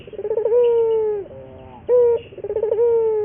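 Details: Local Barbary dove from Indonesia singing a training lure song: a fluttering rolled start stretches into a long low coo. A single short forceful coo follows, then another rolled coo begins.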